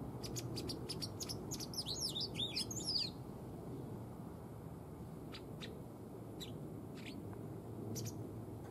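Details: Captive female white wagtail kept as a tame pet, not breeding this spring: a rapid series of sharp high chips, then a lively burst of looping twittered notes, followed by sparse single chirps against a low background rumble.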